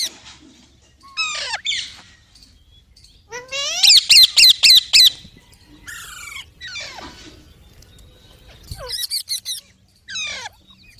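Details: Parrot calls come in scattered groups: slurred down-sweeping whistles, a fast string of loud grating shrieks in the middle, then more husky squawks spaced a second or two apart over a quiet background.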